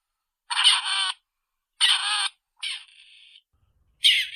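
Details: Grey Partridge, a ground bird of open agricultural fields often seen in flocks, giving four harsh, grating, rasping bursts about a second apart, the third trailing off into a thin, steady tone; no other sounds.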